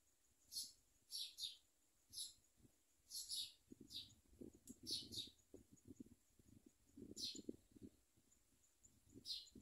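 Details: At a common myna nest where adults bring food to the chicks, high piercing squeaks come singly and in quick pairs, mixed with soft low scuffling.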